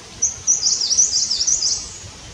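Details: Himalayan Cutia calling while building a nest: a run of high, thin twittering notes that rise and fall in quick succession for about two seconds, over soft background hiss.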